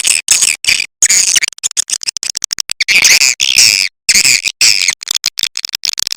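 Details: Swiftlet call used by swiftlet farmers in Indonesia to attract birds: dense, rapid bursts of harsh buzzy chattering twitters, broken by short silences, loud and continuous throughout.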